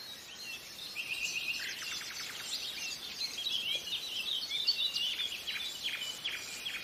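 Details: Several nightingales sing together in a lull. A dense, overlapping stream of rapid high trills, buzzy rattles and sharp whistled notes runs almost continuously, with a steady hiss of background noise.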